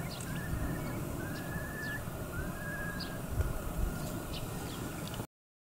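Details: Eurasian curlew (Numenius arquata), call.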